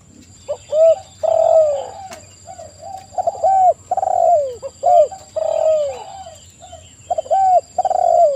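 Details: Spotted dove singing busily in a loud, lively bout: deep, mellow coos in short phrases, some falling in pitch, repeated in quick succession with brief gaps. A steady high electronic whine runs underneath throughout.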